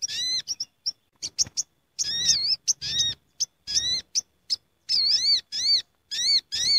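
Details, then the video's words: Sooty-headed bulbuls chattering as a flock gathers, a lure sound: rapid thin chips lead into dense runs of buzzy, undulating harmonic notes, with calls coming thick and overlapping toward the end. "Suara Pikat Sogok Ontong Ribut Istimewa Paling Ampuh"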